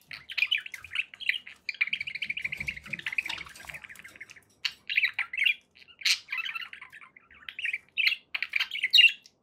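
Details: Budgerigars in a happy mood, a sustained buzzy rattling warble for about four seconds, then separate scratchy squawks and chirps.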